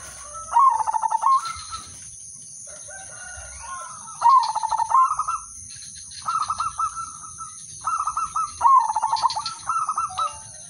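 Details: Zebra dove of the udanmas silver line, singing a melodious lure song meant to set other doves singing: stuttering pulsed coos that end in a higher held note, repeated about every two seconds, with faint higher chirps from other birds.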